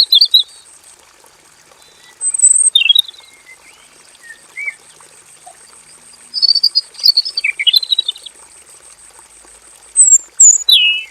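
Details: Male robin in a simple aviary singing long, full song in scattered phrases of high chirps, buzzy trills and downslurred whistles, each lasting about a second, over soft background hiss.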